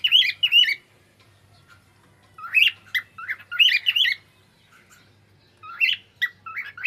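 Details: Singing pet cockatiel, loud and close: clusters of warbling, squawky whistles in three bursts separated by short silences, each burst a quick run of bright chirped notes, with faint low hum beneath.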